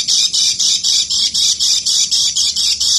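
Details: Lemon-bellied white-eye singing in ngeker style, a steady train of shrill, rasping high notes at about four per second, evenly spaced and continuous.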